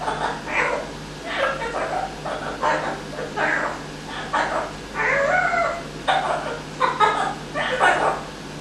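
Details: Evil laugh from a male pet Amazon parrot, learned within a week while being looked after; about a dozen loud, harsh, laughing bursts, roughly one per second with uneven gaps, over a faint steady hum.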